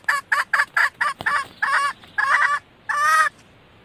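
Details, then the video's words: Female red junglefowl, a recording used as a hunting lure to call males: a run of short, harmonic clucks, about eight in quick uneven succession, then a longer, drawn-out nasal note at the end. "suara ayam hutan betina merah asli/The sound of the original red female jungle fowl"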